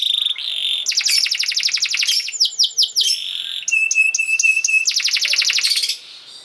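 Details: Canary song for teaching young canaries: a steady whistle, rapid dense trills, a few looping notes, then a rhythmic series of crisp chips and another fast roll before fading.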